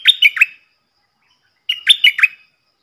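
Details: Stripe-throated bulbul decoy bird giving its lure song: two short, bright phrases of three or four slurred, falling whistles, about one and a half seconds apart.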